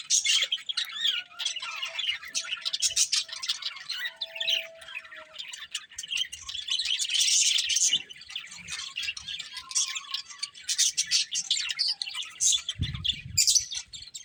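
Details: A group of pet budgerigars keeps up a long, busy stream of rapid chirps, warbles and raspy squawks, the calls overlapping continuously, with a faint low rumble near the end.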